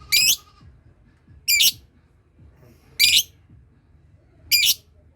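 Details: Lovebird learning to ngekek, a long trill, with other birds drawn into calling. Four short, harsh, high squawks come about every one and a half seconds over a quiet background.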